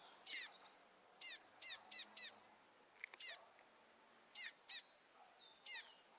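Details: Rusty-collared seedeater fledgling, just out of the nest and with its father, calling insistently: short sharp high harmonic chips, single or in quick pairs and triplets, at irregular intervals over a quiet background.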